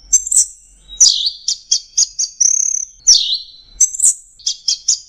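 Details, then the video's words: Orange-headed thrush sings a high, varied song of clear down-slurred whistles, quick chipping notes and a fast buzzy trill, delivered in rapid bursts with brief pauses between them. "Punglor Teler Gacor Full Isian Kombinasi Tembakan"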